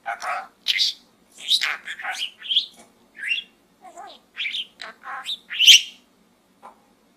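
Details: Budgie babbling inside a small gourd, a lively string of clipped, speech-like chirps, buzzy warbles and high squeaks, ending with a soft faint note.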